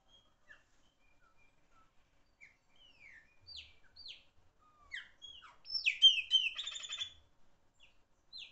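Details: Chopi blackbird, a bird that sings loudly, starts with sparse thin whistles and slurred notes that build into a loud harsh, buzzy, crackling burst, then fades back to scattered whistles.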